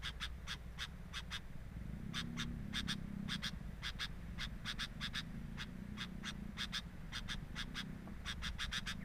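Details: Nest of a sooty-headed bulbul, recorded with a camera at the nest: a long run of crisp, clicking chips in irregular clusters, some doubled or tripled, with a constant low hum beneath.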